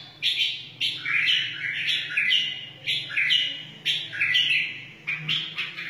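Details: A wild white-eared bulbul sings to teach chicks and urge other bulbuls to sing, giving a lively series of bright, bubbling two-part phrases about every second against a faint low background hum.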